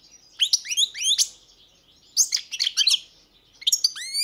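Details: Goldfinch singing in three separated bursts of sharp, sweeping chips and tinkling notes with quiet gaps between. It ends on bright upward-slurred whistles.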